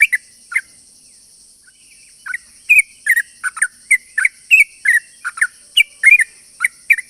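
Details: Lively sooty-headed bulbul song with long rolling phrases, played as a lure to draw other sooty-headed bulbuls: brisk, bright whistled and chirruping notes repeated in quick succession after a short pause, with a constant faint high-pitched hiss behind.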